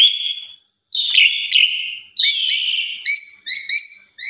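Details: Bold, pumping Asian pied starling song used as a lure to start other starlings singing: a high buzzy note, a pause, then grating chatter and repeated clipped, whistled double notes.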